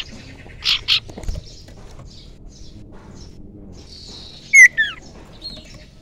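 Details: Young wild common iora used as a lure: two short buzzy notes, then after a pause a loud whistle dropping in pitch with a quick second slur.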